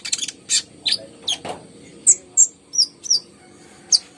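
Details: Brown-throated sunbird, a lively singer played to coax reluctant caged birds into singing: spaced, very high thin chips and short slurred whistles, about two per second at first, then isolated notes with gaps, in a quiet background.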